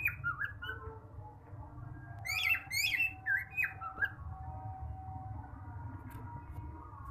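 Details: Pet male cockatiel calling indoors: a burst of rising whistled notes and harsh squawks clustered in the first four seconds, then quieter, with steady low room hum underneath.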